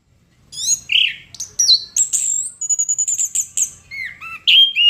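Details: A chestnut-capped thrush sings energetically in gacor style, mixing rising and falling whistles, long thin high tones and rapid chattering notes, ending with lower fluty slurs and a sharp final phrase.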